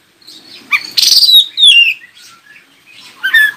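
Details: Oriental magpie-robin song used to prompt other magpie-robins to answer and sing: scattered whistled notes, one long descending whistle sweep, then buzzy bursts after a quiet gap.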